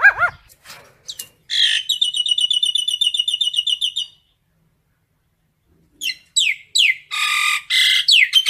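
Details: Calling the flock, a common myna gives bouncing slurred whistles, then a steady high rattle lasting about two seconds. After a pause come loud harsh squawks and down-slurred notes.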